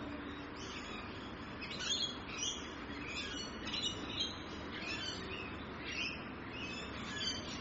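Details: Rainbow lorikeets recorded in Australia, giving scattered shrill, rasping screeches that overlap in quick succession like a chattering group, set against a constant low rumbling noise.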